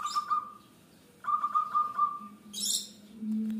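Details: Two quick rolling bursts of pulsed cooing notes from an actively singing local zebra dove, followed by a loud high chirp from another small bird and a low steady hum.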